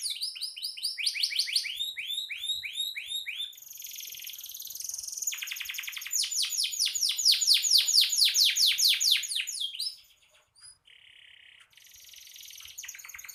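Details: Canary in constant gacor song, used as master song for songbird training; varied high trills of repeated down-slurred notes, buzzy rattles and a loud fast tour, ending with thin whistles and softer chatter.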